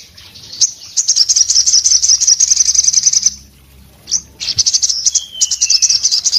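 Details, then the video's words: Orange-headed thrush in breeding condition delivering intense song, beak open, said to make other orange-headed thrushes sing: a sustained high buzzy trill lasting about two seconds, silence, then renewed trilling and a falling whistle. "sogon gacor nembak buka paruh bikin SOGON lainnya jadi bunyi"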